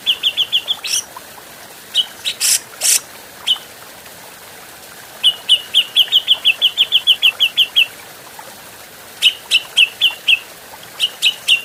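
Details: Grey-cheeked bulbul, an adult, in a clean training recording for cage birds: quick series of sharp, high chirps, with one long run of about a dozen notes, broken by two strong harsh bursts.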